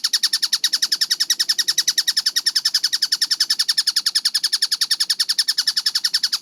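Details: Tengkek buto kingfisher delivering a clean, rapid chattering song of evenly spaced high piercing notes, steady throughout with no pauses.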